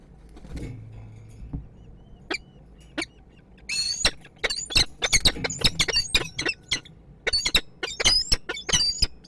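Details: Peregrine falcon pair, male and female meeting at their nest in Kwidzyn, Poland, on 29 September 2024: after a quiet start, harsh grating squawks build into a fast, irregular series of loud, high cries.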